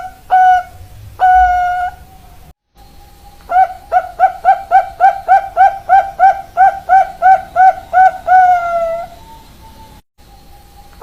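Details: Zebra dove cooing, local and Bangkok-type birds: two drawn-out mellow coos, then a rapid run of about fifteen short hollow coos ending in longer falling notes, clean and loud with little background.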